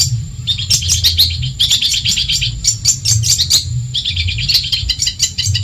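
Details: Madura long-tailed shrike training recording for songbirds: three chirpy bursts of quick, high, scratchy twitters and squeaks, each about a second long, split by short pauses.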